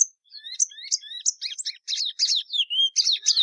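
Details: Song of Sporophila plumbea, the Plumbeous seedeater: a rising string of clear whistled slurs growing into louder buzzy doubled notes.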